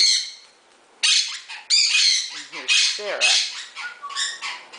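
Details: A female pet Quaker (monk) parakeet gives harsh, grating squawks in quick bursts about every half second, with a person talking nearby.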